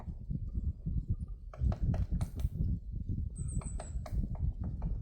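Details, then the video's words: Woodpecker pecking at a tree on Namsan, Chungju, on 7 February 2026: sharp, dry taps at irregular intervals, with a brief high thin whistle midway, over a steady low rumble. "딱따구리가 나무 쪼는 소리(woodpecker pecking at the tree)"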